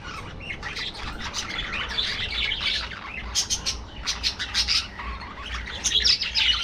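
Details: Aviary colony of budgerigars giving a busy mix of chirps, short squawks and rapid warbling notes, with bursts of sharp clicks that rise in loudness toward the end.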